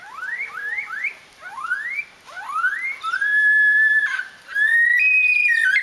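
Lyrebird copying a bush stone-curlew: rising, mournful whistles repeated about once a second, then long drawn-out wailing notes that swell and level off.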